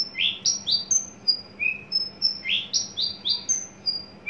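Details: {'caption': "A tame caged adult male Horsfield's bush lark, just entering breeding condition, alternates bright upswept chirps with high thin drawn-out whistles in a quick, repeating phrase."}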